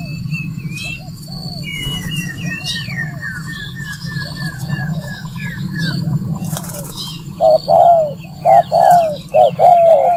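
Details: Spotted dove call used as a lure for bird trapping; after seven seconds of low rumbling background noise and faint distant calls, loud cooing phrases begin, each a short note followed by a longer falling coo.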